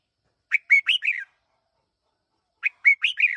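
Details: Red-whiskered bulbul used as a decoy bird, one year old, delivering two matching phrases of four crisp, bouncing whistled chirps separated by two seconds of silence.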